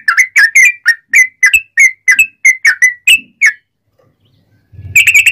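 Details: Loud straw-headed-bulbul-style song of a sooty-headed bulbul, used to train and goad others into singing: a quick run of about a dozen short whistles, a half-second hush with faint rustling, then a dense burst of notes.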